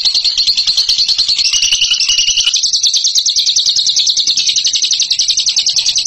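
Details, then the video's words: Bird hailed as a ngekek champion delivers a sustained, very rapid, shrill chattering trill. It continues nonstop for six seconds with slight rises and dips in pitch. "INI DIA JAGONYA NGEKEK"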